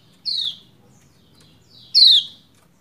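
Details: Female Lombok white-eye (pleci) calling to a male to get him singing: two sharp, high chirps that slide downward, about 1.7 seconds apart. The second chirp is louder, over a quiet background.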